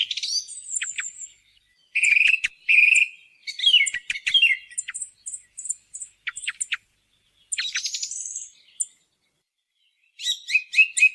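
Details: Song thrush from a hunting lure recording: loud whistled phrases, thin high chips in clusters, clicking rattles and a rising trill, separated by silent gaps, each motif typically said twice or more.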